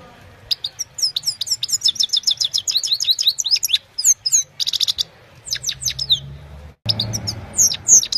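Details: Himalayan goldfinch singing at evening, captured on a mobile phone: a fast, dense run of high, sharp chirps and twittered notes, closely packed for several seconds, with brief pauses and a final burst of squeaky whistles.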